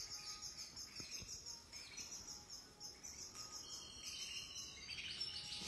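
A European goldfinch sings a fast, high, tinkling twitter of buzzy notes and liquid trills that runs on without pause, over a faint steady background hiss.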